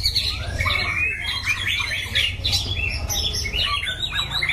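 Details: Loud-voiced caged white-rumped shama bred for song contests, pouring out a dense run of high whistles and rasping notes over a constant low hum.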